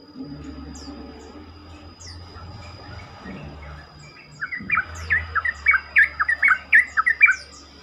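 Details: Yellow-vented bulbul song used to provoke other bulbuls into answering and singing more; after a quiet start, a lively run of bubbly, chirping notes rises and falls, with thin high whistles above and a steady high tone in the background.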